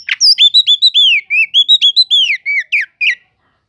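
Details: Oriental magpie-robin song used to provoke sluggish magpie-robins into singing: a rapid string of clear whistled notes, each slurring up then down, about fourteen in quick succession with varied pitch.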